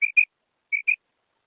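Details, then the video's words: Female quail: two quick pairs of short whistled notes, each pair two clipped notes close together, separated by a half-second gap. "Female Batair Sound"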